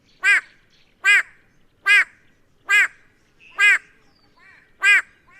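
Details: White-bellied Go-away-bird giving a series of grumpy yelps: loud, nasal, harmonic barks repeated roughly every 0.8 seconds, six in all, with faint softer notes between them.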